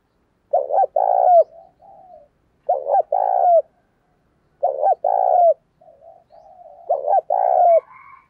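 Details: Spotted dove cooing as a lure bird to provoke rivals: low, mellow coo phrases repeated about every two seconds, each a short double note followed by a longer rolling coo, with soft trailing notes between phrases, no other sounds.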